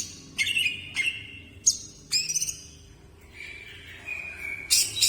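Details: Greater green leafbird singing: separate short whistled phrases near mid pitch, sharp high chirps, then a longer steady whistle and a final high buzzy burst, with faint background hum.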